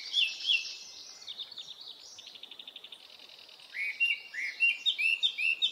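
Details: Japanese thrush singing in an early-summer Hokkaido forest, recorded on a Nikon Coolpix P950: loud clear whistled phrases, a quick run of even repeated notes midway, then bright rising and falling whistles in close succession.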